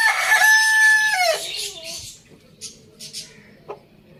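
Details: Village farm rooster ending a crow: a loud, sustained harmonic note of over a second that drops and trails off, followed by quieter scattered bird chirps and a few soft clucks in the background.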